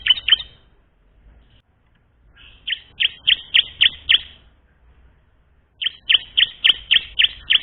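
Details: Learning song of a bar-winged prinia, meant to prompt young birds to sing: two short notes, then two rapid runs of six to seven sharp, high chirps with a quiet pause between them.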